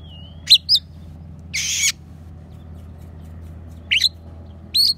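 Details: Oriental magpie-robin mimicking sparrow and prinia, recorded to tutor other songbirds; a soft whistle and sharp chirps, one long harsh buzzy rasp, then further clipped chirps, with a low hum in the background.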